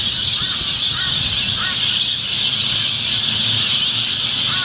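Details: Rainbow lorikeets in their thousands roost and display at dawn at Yeppoon Main Beach, 1 June 2013; a steady, piercing wash of screeching chatter, with a few short rising whistled notes standing out above it.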